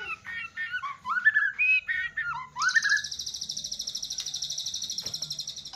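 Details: White-rumped shama, with its bowing singing style, delivering rich fill-in song: a tumbling run of varied fluty whistles, then a long, rapid, buzzy high trill that pulses evenly for about three seconds.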